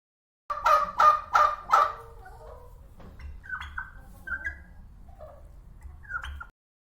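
Guinea fowl giving four harsh, rapid, cackling notes in quick succession, followed by softer, scattered squawks and chattering calls.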